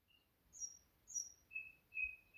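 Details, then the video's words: Common nightingale (Afghanistan) gives thin, pure whistled notes about every half second, the first very high, the later ones lower and steadier, over a quiet background. "Common Nightingale"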